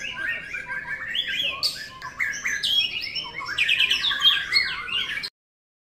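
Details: Caged White-rumped shama in a practice singing contest, pouring out a fast varied song of clear whistles, trills and high chirps in tight bursts, growing denser toward the end before stopping abruptly.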